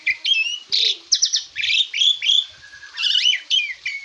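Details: Asian pied starling song from a cage-bird training master, with loud bent whistles, rapid chirp clusters and grating bursts following each other without a break.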